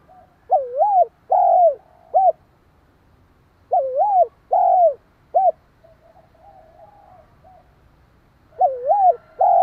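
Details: Spotted dove cooing quickly to provoke and stimulate another dove. Phrases of wavering and steady coos, each ending in a short clipped note, repeat after pauses. A faint, softer coo is heard between the phrases.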